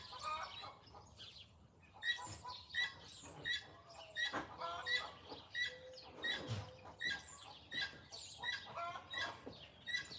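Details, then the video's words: Guinea hen calling on a Pennsylvania farm, a long run of harsh, metallic, repeated notes in uneven bursts, with scraping and clanking sounds mixed in. "That's a guinea hen, by the way. You hear that noise?"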